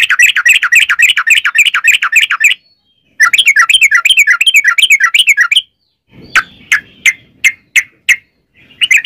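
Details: Sooty-headed bulbul in lively, continuous song, used as a lure to make other bulbuls sing: fast repeated warbled phrases around mid pitch with bright overtones, a short pause, another long run, then sharp separate chips and a low rumble.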